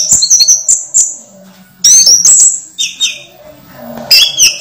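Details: Orange-headed thrush in a cage, moulting but singing: high, sharp whistled phrases and fast chattering runs in bursts, with faint low background sounds between them.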